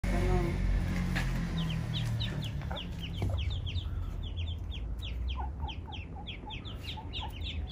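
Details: Eastern spot-billed ducklings with their parent, wandered into a spot with no ponds or rivers nearby: rapid, high, down-slurred peeps, several each second, with a few lower notes near the end, over a steady low background rumble.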